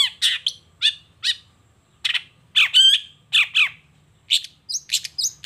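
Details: Long-tailed shrike singing loudly in the morning, displaying its varied material: scratchy chirps and grating notes in short clusters, one strained rattling note midway, ending in quick high squeaks.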